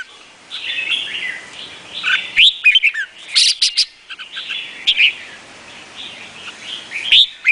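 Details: Vietnamese red-whiskered bulbul singing: soft warbled chatter throughout, broken by loud, sharp, liquid whistled notes and sudden clicking bursts, mostly high-pitched, with brief quiet gaps between phrases.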